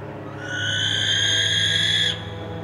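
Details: Barn Owl, a bird heard in church-tower attics, barns and ruins, giving one drawn-out, hoarse, hissing shriek lasting about one and a half seconds. A faint low hum sits underneath.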